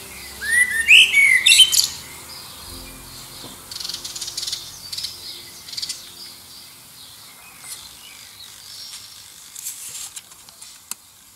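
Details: Male-type common blackbird song near Liverpool, sung in competition with other birds to win a mate: a loud burst of rich warbling with a high, squeaky twitter in the opening two seconds, followed by faint distant chirps and clicks.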